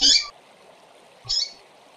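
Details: Female double-collared seedeater call, meant to stimulate males: two loud, raspy chirps a little over a second apart, the first fuller and the second slightly shorter, with light hiss in between.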